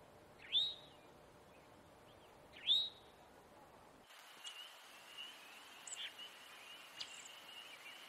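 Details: A male Eastern towhee gives two loud, upslurred alarm notes about two seconds apart, followed by faint scattered chips over a steady insect-like hum.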